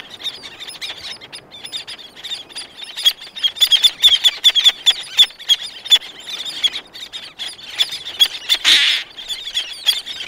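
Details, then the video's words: Black-naped terns calling, several close and others farther off. Dense, fast, high clicking and squeaky chatter runs continuously, with a louder harsh burst near the end. "Black Naped Tern / Black-Naped Tern. CU Calls From Several, Others In Distance. Good Wing Beats."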